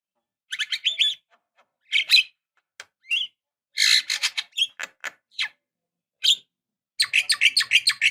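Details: Javan myna female calling the male in a lure recording: bursts of loud harsh chattering and rasping squawks separated by short silences, ending in a rapid string of scratchy repeated notes.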